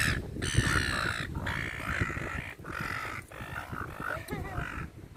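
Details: While being fed in a park, gulls give strained, wavering squeals in several long bursts, softer and partly blurred by heavy low background noise.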